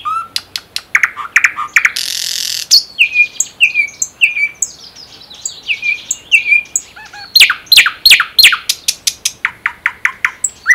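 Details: Wild common nightingale singing in the Unzha river floodplain and the Kologrivsky Les reserve: loud rapid clicks, a harsh buzzy burst, a run of descending whistled notes, then fast, sharp repeated trilled notes near the end.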